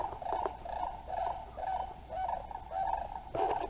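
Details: A pair of sandhill cranes flying past: a series of hoarse, rolling calls about every half second, each a rough, rattling note with a faint low background rumble.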